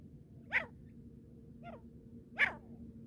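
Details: Female francolin (teetar) calling two harsh, rasping notes about two seconds apart, with a fainter note between them, over steady low background hum.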